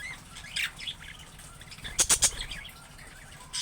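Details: Caged budgerigar giving wavy, warbled chirps, broken by three quick, sharp clicking notes in a row midway, then a harsh burst at the close.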